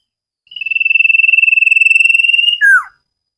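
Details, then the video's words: Common iora singing vigorously on a recording made for training cage birds: one long, even, rapid trill on a steady high pitch for about two seconds, ending in a sharp falling slurred note. "Burung cipow sirtu masteran Gacorrr banget"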